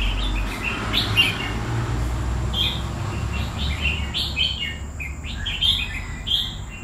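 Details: Red-whiskered bulbul, a caged bird of two years, singing a busy string of chirpy, warbled notes throughout, with a low rumble underneath.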